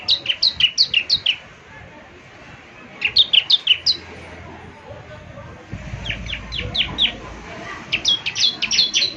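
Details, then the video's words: Ciblek semi singing vigorously, meant for morning playback so birds answer: short bursts of five or six rapid high chirps separated by quieter gaps with low background rumble. "ciblek semi gacor, putar tiap PAGI agar ciblek semi ikut nyaut bunyi GACOR"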